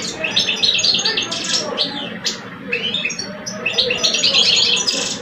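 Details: Caged male European goldfinches, an older one and a two-year-old, singing against each other: quick liquid chirps and tinkling trills tumbling in rapid clusters, brief pauses, then a denser closing burst; steady low background noise.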